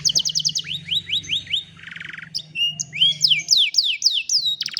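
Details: Canary song on a phone recording meant for training a lazy canary to sing: quick trills, a series of rising whistles, a short buzzy rattle, then looping slurred notes, with a low hum beneath.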